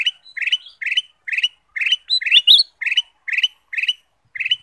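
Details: Ruby-throated bulbul delivering a lure song to draw song from other birds: paired bright chirps repeated steadily about twice a second, with one higher, twisting phrase midway; quiet background.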